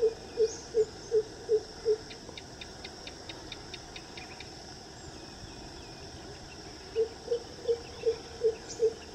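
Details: Greater coucal far from the camera giving deep, hollow hoots in quick runs of six or seven, about three per second, with a pause between runs; faint high ticking and environmental noise behind.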